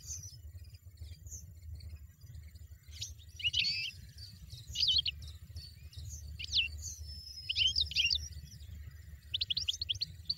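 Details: European goldfinch in nature giving separate sharp, bright chirps in short bursts every second or two, with quieter gaps and a soft low drone behind.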